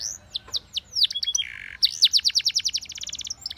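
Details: Canary song meant to encourage other canaries to sing: quick high chirps and sweeping notes, a short buzzy low trill, then a fast even rolling series of descending notes repeated about a dozen times.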